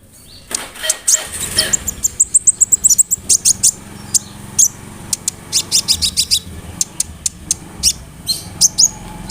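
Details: Olive-backed sunbird singing, used as a therapy lure to get other sunbirds to respond: a thin high trill, then a steady, rapid series of sharp, needle-like chirps repeated several times per second.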